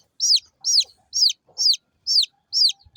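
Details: Small domestic chicken chicks chirping: loud, high, downward-sliding peeps repeated about twice a second in a steady series, with faint soft knocks in the background.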